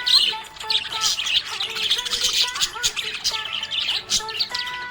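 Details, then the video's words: Cheerful budgerigar chatter: rapid high-pitched chirps and squeaky warbles in bursts, accompanied by clear musical notes of a song playing behind. "Happy budgie chirping sound"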